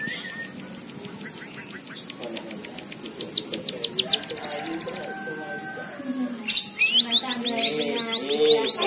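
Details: A White-headed Munia that was tutored with canary song sings canary-like song: fast, bright trills and rattles, rising sweeps and a long clear whistle, with faint background chatter below.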